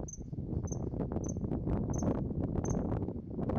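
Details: Common kingfisher calling in Moriya City, Ibaraki, Japan: five brief shrill high whistles, roughly every half second, over a constant low rushing background noise.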